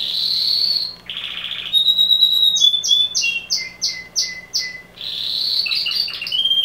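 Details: Male canary singing loudly, moving from a buzzy held tour to a clear whistle, then a series of evenly spaced rapid notes and a warbling rattled ending.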